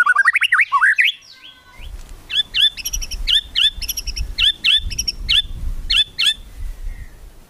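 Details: Kretekan song of a white-rumped shama used to rile rivals into fast singing: opens with a quick rising-and-falling warble, then settles into rapid, evenly spaced sharp chips about three per second over a low background rumble.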